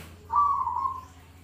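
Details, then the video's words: Zebra dove, a bird kept for contest and daily song: one short, vibrating coo lasting under a second, steady in pitch, over a soft background hum. "suara perkutut paling bagus buat lomba dan harian"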